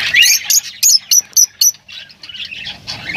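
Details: Lovebirds calling: a quick run of sharp, shrill chirps, about four a second, gives way to softer, scratchy chattering twitters in the second half.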